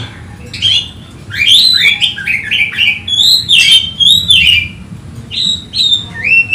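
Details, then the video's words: Oriental magpie-robin, agitated and seeking a rival, giving loud bursts of clear whistles and twisting phrases, pausing briefly, then resuming with sliding notes. "Kacer ngotot emosi mencari lawan"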